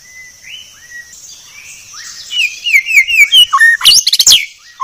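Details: White-rumped shama training song, very clear. Flat whistles first, then a quickening run of bright falling slurred notes. It ends in a burst of loud sharp chips over a steady high background tone.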